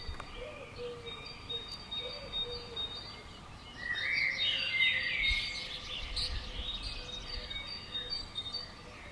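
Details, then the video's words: Common swifts, called 'bangers', around a house on June 5th 2011. A loud burst of overlapping high, harsh screams swells midway, with a few low cooing notes from another bird early on and steady background hum. "Common Swift Bangers"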